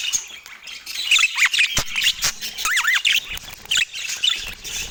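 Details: Parakeet kept as a pet, calling while it eats on an autumn morning: sharp squawks and bent, warbling whistled notes that rise and fall, with short clicks between them.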